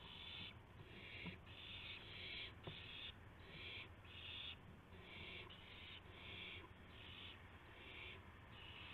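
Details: At dawn, 5:50 AM, March 26, 2016, owls with a gopher and a mouse; dense, rapid series of grating hiss bursts, nearly continuous, with brief gaps and a faint click or two.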